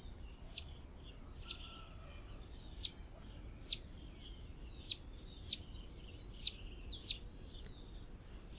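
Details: Blue-and-yellow tanager from Brazil singing a steady series of short, very high, sharp chirped notes, about two per second, over a constant thin high whine and faint low background rumble.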